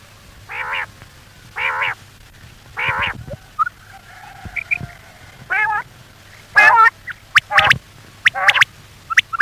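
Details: Common quail call used by hunters to lure the birds at night: evenly spaced nasal, buzzy bursts roughly every second, then a flurry of sharp high clicks and quick notes near the end.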